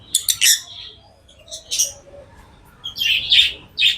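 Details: Lovebirds chirp in a few scratchy high bursts, with softer squeaks between them and steady low background hiss.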